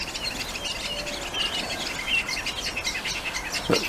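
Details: Two Common Starlings in a garden mimicking other birds: quick, twittering phrases like a Barn Swallow's chortle, with short whistles and clicks high in pitch over faint background noise.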